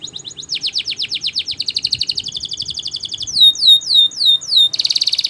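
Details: Canary performing Spanish Timbrado song for training, with a long run of rapid falling strokes, a buzzy roll, loud ringing upswept whistles, then a dense fast trill.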